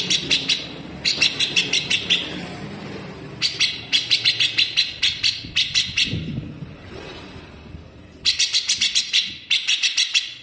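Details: Rapid, coarse besetan rattling of a grey-cheeked bulbul, played as a model for cage birds to copy: repeated bursts of quick, high, scratchy notes, about six to ten per burst, separated by short pauses, with faint low background rumble.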